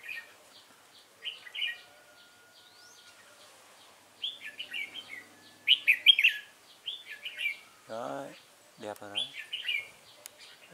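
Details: Wild-caught red-whiskered bulbul recorded on 22 October 2018, giving short warbled chirpy phrases in bursts at irregular intervals, with men's voices talking close by near the end.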